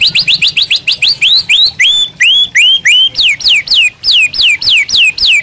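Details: White-rumped shama singing a master song for training caged birds: a loud, rapid chain of repeated whistled slurs, first upswept, then long downswept notes, roughly three per second, clear and ringing.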